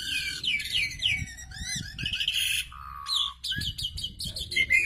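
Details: Asian pied starling during pairing: a dense run of varied whistled notes, rising and falling slurs, and harsh buzzy bursts, followed by a lower steady whistle and then rapid repeated chattering notes. Faint low thumps sound underneath.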